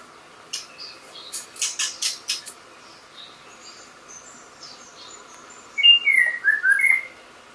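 White-rumped shama: a run of sharp, dry chips, then a quick phrase of loud, clear whistles sliding up and down, over a steady faint hum.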